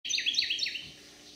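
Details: A resident male Carolina wren singing in a backyard in Manchester, St. Louis County, Missouri, on 30 July 2022, probably for a mate: a quick burst of loud, rolling, high ringing notes under a second, fading into faint hiss.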